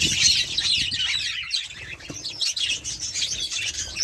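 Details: Budgerigars in a loud, unbroken high warble of rapid squeaks and chirrups, with faint low thumps beneath.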